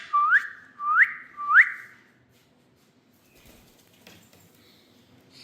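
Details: Indian rose-ringed parakeet, a pet ringneck, making three quick upslurred whistles about two-thirds of a second apart, then quiet room noise with faint thuds.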